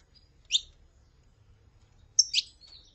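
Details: Saffron finch, from a recording of a female calling and a male singing: two separate high, sharp chirps about a second and a half apart, the second longer and trailing, in near silence.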